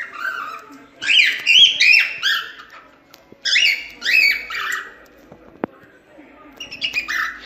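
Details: Cockatiel singing: bursts of bright, harmonic whistled and squawky notes that slide up and down, in two clusters of rapid phrases separated by short pauses, with a sharp click midway.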